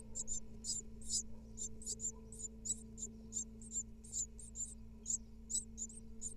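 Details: Great tit nestlings of a second clutch of five eggs, in a camera-watched nest in Israel in 2022, beg as the female feeds them. Thin, very high squeaks repeat rapidly and unevenly over a steady low electrical hum.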